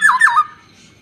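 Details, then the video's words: Black-naped oriole, said to be fierce, uttering two quick harsh, nasal, down-slurred squawks in close succession, then silence; no other sounds stand out. "burung kepudang khas suara asli"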